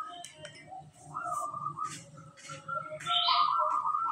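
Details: A local zebra dove in strong voice, kept as a lure bird, gives clear, tonal cooing notes that run together into a stuttering phrase, with a low background rumble and a brighter whistled passage near the end.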